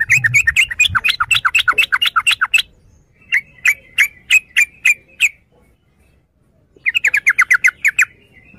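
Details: Yellow-vented bulbul chatter: a fast run of sharp clipped notes, then a slower series of separate chips, a silent gap, and another quick bubbling burst.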